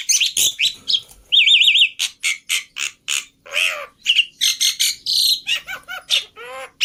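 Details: Black-winged myna tutoring song full of varied phrases: sharp clicks, a warbling trilled whistle, then a quick sequence of harsh notes, rippling trills and lower wavering whistles.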